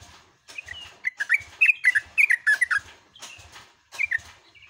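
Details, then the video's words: Yellow-vented bulbul singing long, bubbly, gurgling phrases of quick rising and falling notes in bursts, at dawn, with soft low thumps in the background. "TRUCUKAN GACOR ROPEL"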